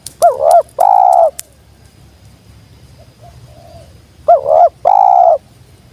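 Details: Wild tekukur, or spotted dove, come down to call: two loud two-part phrases, a rippling note then a held coo, about four seconds apart, with some sharp taps at the start.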